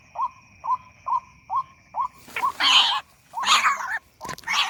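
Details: Night recording of a white-breasted waterhen answering playback: several short rising nasal notes at an even pace, then loud broadband rustling and clattering noises that cover the calls.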